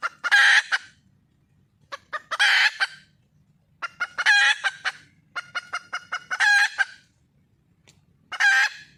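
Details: Wild red junglefowl hen calling to find a male mate: harsh, raspy cackling bursts roughly every one to two seconds, separated by quick runs of short sharp clucks, with a faint low rumble in the background.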